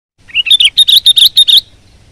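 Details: Sooty-headed bulbul singing at full power: one loud burst of about eight rapid, bright chirps, each sharply clipped and evenly spaced, lasting under two seconds, over a quiet background.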